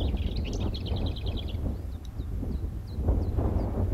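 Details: Lesser whitethroat singing: a fast dry rattle of even high notes lasting over a second, followed by scattered soft, thin chips. Heavy low rumbling background noise runs throughout.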